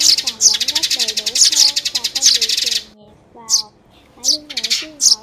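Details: Trapping lure of sparrows for nets and glue: a long rapid stream of high chirps, a brief gap, then scattered short chirp clusters, accompanied by soft wavering music.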